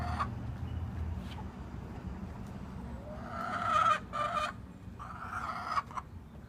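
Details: A chicken gives loud, harsh, drawn-out squawks in two bursts late on, over a steady low rumble of engine noise.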